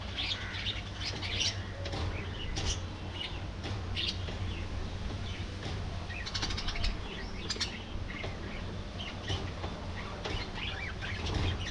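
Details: Budgerigar colony in an aviary, continuous twittering and warbled chirps from numerous birds layered together, short sharp squeaks scattered throughout, with frequent wing flutters and a low steady hum.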